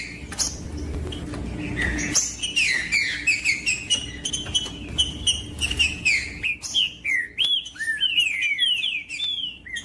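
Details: Green-winged saltator singing to stimulate cold captive birds before tournaments: a dense, continuous flow of whistled notes, low rumble in the first seconds, ending in distinct curved downslurred whistles.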